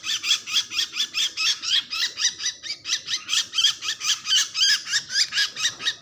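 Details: Bird; distress call; distress, calling for help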